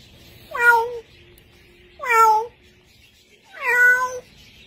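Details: African grey parrot imitating cat voices. Three drawn-out, harmonic meow-like calls, each about half a second long, with a wavering tone that dips and rises. They come roughly every one and a half seconds, with quiet pauses between.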